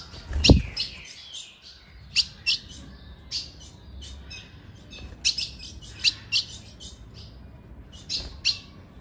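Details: Call of a female ultramarine grosbeak, meant to stir males into excitement. Crisp high chirps come in loose clusters, often doubled, with one dull low knock near the start and soft background noise.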